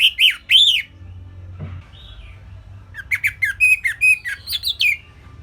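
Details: Simple orange-headed thrush song used as a training tutor for songbirds: two bright, ringing whistled notes, a quiet gap with faint hum, then a rapid run of short, chirpy whistles rising and falling in pitch.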